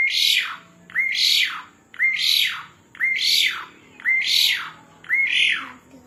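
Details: Asian pied starling in lively full song: six loud, harsh upslurred phrases, each sweeping up and then fading, repeated about once a second, with a faint steady high tone behind.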